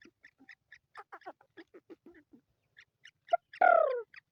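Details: Black francolin, called sindhi kala teetar, gives a series of short clipped notes followed by one loud, harsh, downward-slurred note with rich harmonics near the end.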